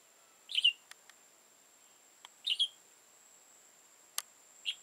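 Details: Red-whiskered bulbul caught with a decoy on 15 October 2018, an old wild bird with tall crest and dark bib: short lively chirped phrases every couple of seconds, sharp clicks and a constant thin high tone.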